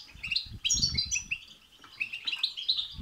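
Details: Goldfinch batbata and setsata singing, meant to set off a goldfinch's song. Sweet twittering and a run of rising, slurred notes play over low bumping noises in the first second.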